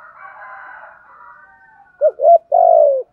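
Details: Soft hissy wash gives way to a spotted dove decoy phrase for training doves: two short rising coos and a long burred coo sliding downward.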